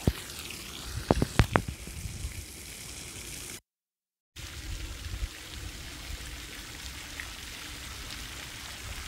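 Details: Trickling water with a few sharp knocks, a brief silent gap, then more running water and no animal voice.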